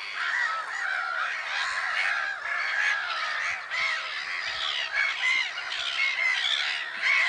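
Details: On 10 April 2011 at Lake Sarymsak, Pavlodar region, Kazakhstan, a crowd of black-headed gulls keeps up a loud, continuous clamour of shrill, grating cries, with a few sharper squeals standing out.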